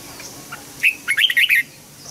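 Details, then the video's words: Red-whiskered bulbul song for teaching young birds: one brisk phrase of about five bright, warbled whistled notes lasting under a second. "Chào mào luyện giọng giúp má trắng học giọng hiệu quả, kích chim bổi nhanh hót và căng lửa."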